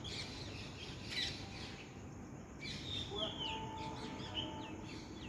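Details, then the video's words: Birds singing in the morning, a natural wake-up chorus outdoors: several thin whistled chirps and short downslurred notes from more than one bird over steady background hiss, busiest after the third second. "Good morning natural alarm by birds."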